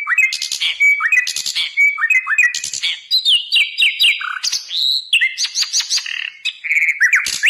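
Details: A hill blue flycatcher, used as a master song for training cagebirds, sings a fast, varied run of high, sweet whistled phrases, with rising slurs and quick trills, phrase after phrase with barely a pause.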